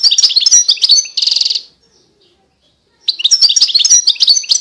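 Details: Goldfinch singing in 2020, quick liquid twitters and high whistled slurs, a dense buzzy trill closing the first phrase, a pause of over a second, then another lively tinkling phrase.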